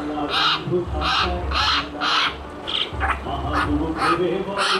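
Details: Myna giving loud, harsh, raspy calls repeated about twice a second in an uneven series, each a broad noisy burst, over a steady low rumble in the background.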